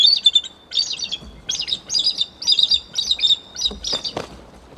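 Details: Wild pair of bald eagles, male and female, vocalizing together in January before the male attempts copulation; high, squeaky chittering notes in rapid bursts, about eight bursts over five seconds, with a few faint thumps.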